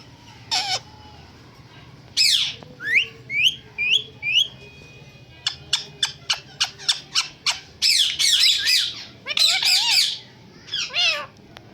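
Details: Talking parrot producing short upward whistles, a series of rapid clicking notes, then loud harsh squawks and screeches in bursts.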